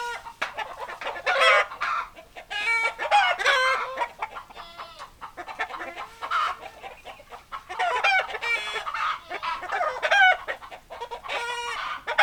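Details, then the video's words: Chickens, hens clucking alongside roosters: a busy stream of overlapping nasal clucks and short harmonic squawks from several birds, coming in bursts with brief quieter gaps. "Chicken Sounds Noises Hens Clucking Roosters Crowing"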